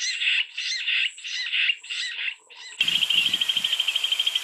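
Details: Jungle bush quail giving harsh, rasping notes in a quick run of about six, each under half a second, followed by a steady rapid high-pitched pulsed trill from another source.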